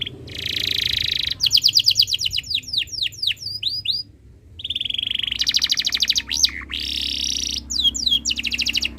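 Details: Canary singing in breeding condition as a master song for other birds: a buzzy roll, a series of sharp downslurred notes, a short pause, then rapid rolls and fresh trills.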